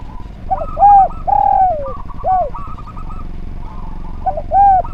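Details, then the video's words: Spotted dove singing persistently, recorded as training material for other birds. Soft, hollow coos rise and fall in arcs: short notes, then a longer drawn-out coo sliding downward. A rapid buzzy trill and a low hum sit behind. "Derkuku Gacor Suara Nglaras, Masteran Derkuku Paling Top Cer"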